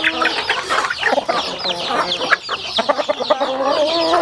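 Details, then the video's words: Rural chickens at feeding time, heard as rapid high peeps, a few drawn-out tonal clucks and crisp pecking clicks in a crowded flock. "Yummy sounds chicken eating"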